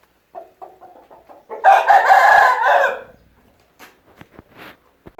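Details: Aseel rooster crowing: a few short clucks, then one long, loud, harsh crow of about a second and a half, followed by scattered clicks and soft clucking.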